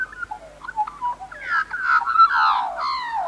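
An Australian Magpie gives rich, flute-like warbling notes that start soft and scattered, then swell into a louder, tumbling run of gurgling phrases.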